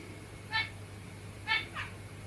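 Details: Zebra finches, with territorial singing and soft noises while cuddling: two short, bright, nasal beeps about a second apart, followed by a quieter downward-sliding note, over a steady low electrical hum.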